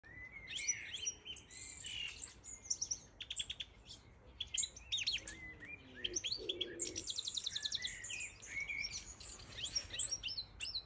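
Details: Siberian goldfinch, the major subspecies of European goldfinch, singing a dense, high twittering song of quick chirps and swept notes, broken by rapid buzzy trills near the middle, over a faint low background hum.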